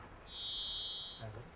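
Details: Varied Thrush, possibly two present, in the redwood forest on the Trillium Falls Trail in Redwood National Park, giving one long, steady, buzzy whistle on a single high pitch, held for almost a second; a faint voice follows.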